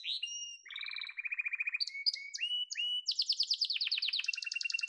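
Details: Yellow domestic canary song beginning with pure whistled notes and short glides, moving into a low rolling trill, then a bright, very fast high trill that drops into a rattling lower roll.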